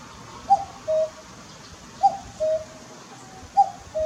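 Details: A wild common cuckoo calling from a utility pole near a garden on a late-May afternoon gives steady cuck-oo phrases roughly every one and a half seconds, a short high note falling to a longer lower one.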